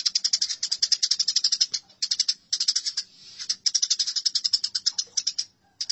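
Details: Nearly continuous rasping chatter from fighting Eurasian tree sparrows: quick runs of high, dry pulsed notes with only brief breaks.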